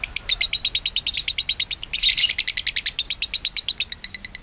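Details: Lovebird giving long konslet song, recommended as master for other cage songbirds: a fast string of scratchy chirps at even pace that suddenly turns louder and more shrill for a moment, then settles back.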